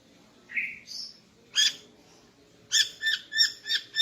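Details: Female greater green leafbird singing in the morning to arouse the male: scattered notes, a slurred whistle near the start, then a broad chirp and a run of five sharp, evenly spaced harmonic chips at the end.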